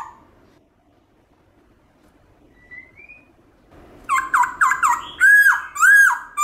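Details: Black-throated laughingthrush wild-style song for stimulating pet birds: quiet at first with faint notes, then a burst of rapid dipping whistles and loud swooping, looping whistled phrases.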